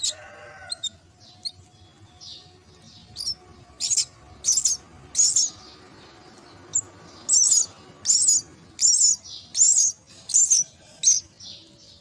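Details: Myna chicks at the nest beg during feeding with a series of harsh, high, raspy bursts, faint at first, then loud and repeated more than once a second, some short bursts spaced irregularly.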